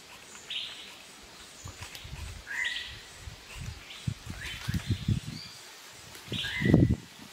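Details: Malabar grey hornbill (Ocyceros griseus) in Kerala giving short, squealing, slightly falling notes about every two seconds, over low rumbling and thumping background noise.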